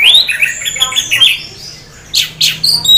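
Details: A lively Orange-headed thrush, half in breeding condition, sings a rich, varied run of high whistles and slurred notes, ending in a few sharp rasping squawks. The song is used to prompt other orange-headed thrushes to sing.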